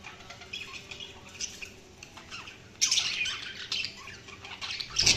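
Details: Budgies chirping: quiet scratchy chatter that turns into a louder burst of squawks and warbles halfway through, ending with a sharp squawk.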